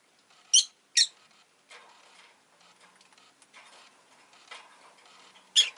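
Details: Rosy-faced lovebird kept at home after laying an egg: three sharp, harsh chirps, two close together near the start and one at the end, with soft faint rustling between them.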